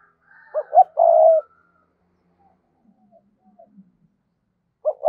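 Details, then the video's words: Decoy spotted dove calling to attract wild doves: two short rising hoots lead into a long, throaty coo, then near silence with faint low sounds, and a new phrase starts at the end. "Chim Cu Mồi Thúc Và Gáy Gọi Dùng Kích Bổi Hiệu Quả Mỗi Ngày"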